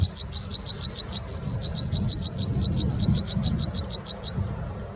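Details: American robin nestlings in the nest, being fed by their parents, give rapid, thin, high peeps, about four a second, over a steady low rumble of wind or handling noise.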